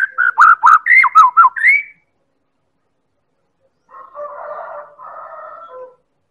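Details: White-rumped shama from Medan singing as a lure for other birds: a loud run of about seven rapid, clipped whistled notes, then silence and a quieter, scratchy warbled phrase.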